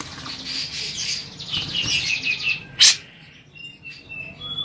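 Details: Captive grey-cheeked bulbul bathing, its sound said to make other bulbuls answer and calm agitated or breeding birds: busy, high chattering trills with short slurred notes, a loud sharp burst near the middle, then scattered thin whistles.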